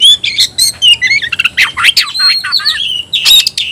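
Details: Oriental magpie-robin (kacer) giving a fighting challenge call: dense run of sharp whistles, slurred rising and falling notes and scratchy chirps delivered without pause.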